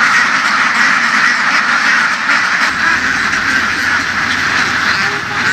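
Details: Large flock of laying ducks herded through fields by farmers in western Vietnam; a dense, continuous chorus of overlapping quacks forms a steady roar with no clear gaps, and faint engine-like rumble sits underneath.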